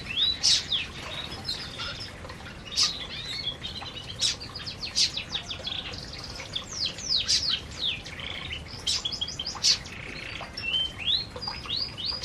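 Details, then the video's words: Flock of canaries eating in an aviary chatter with frequent high chirps and bursts of rapid downslurred twittering, calls overlapping throughout. "Burung Burung Kenari Sedang Makan Di Aviary"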